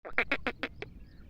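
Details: Black francolin, described as wild and native and linked to Sindh, possibly a female, giving a quick run of five or six harsh, rasping notes about a tenth of a second apart, with the last note thinner and quieter. Light background hiss.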